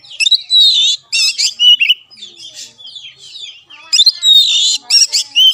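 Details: Kacer, or Oriental magpie-robin, song played to train a lazy caged bird: scratchy, richly layered phrases and falling whistles, a soft twittering gap, then another loud burst of notes.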